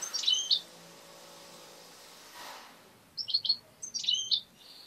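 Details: Pet European goldfinch that has been tamed to attack a hand and bite a finger. A quick high twittered phrase opens the recording, then a soft rushing noise follows. After that come several clustered bursts of sharp, tinkling chirps.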